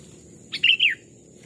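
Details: A single bright, liquid phrase from a caged Sooty-headed bulbul used as a lure bird in forest, a short chirp followed by two warbled notes sliding downward, over quiet low background hum.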